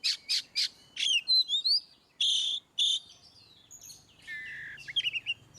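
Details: Oriental magpie-robin ngeplong song for encouraging reluctant singers: three quick buzzy notes, thin rising whistles, then two harsh rasping bursts followed by softer warbled twittering phrases.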